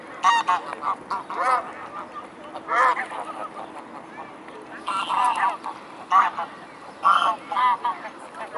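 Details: Mute swans in a gathered flock at the Blaues Wunder, recorded 22 May 2016 at 19:25: repeated short nasal honks with stacked harmonics in irregular bursts, several birds calling over steady background murmur.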